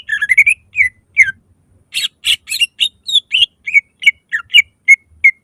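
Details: Lure song of a greater green leafbird singing loudly to trigger other leafbirds: a rising whistled slur, then a quick series of bright chips and squeaky notes about three per second.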